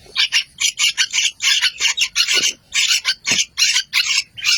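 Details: Baby yellow-vented bulbuls (trucukan) calling: continuous harsh, scratchy chirps in fast pulses roughly every quarter second, loud and wheezy, with a couple of faint knocks in the background.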